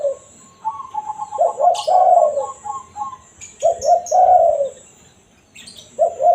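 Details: Spotted dove's natural 'kuk satu' coo for drawing in wild doves: rapid pulsed notes lead into low husky coo phrases, repeated, with faint sharp high chirps scattered through.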